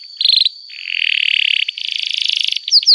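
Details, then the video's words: Canary in song, from a recording meant to coax young canaries into learning sounds: a brief high trill, long buzzy rattling rolls, and two sharp falling whistles at the end. "Kenari Gacor Panjang Cuit Cuit Emosi, Pancingan Kenari Paud Belajar Bunyi"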